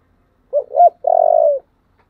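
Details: A spotted dove in the 'thổ' voice style gives a calling coo. Two quick, looping coo notes lead into one long, level, throaty coo that fades downward at the end. The background is quiet.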